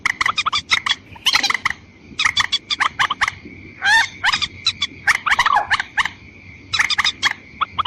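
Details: Lure sound of watercock for attracting females and males: dense strings of staccato notes broken by harsh, rising rasps, repeating almost continuously above a steady high tone.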